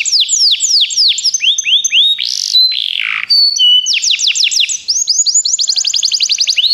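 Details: Begie canary singing for song training: a series of repeated downward-sweeping whistled notes, a harsh rising buzz, steady clear whistles, then more swooping notes speeding into a fast trill.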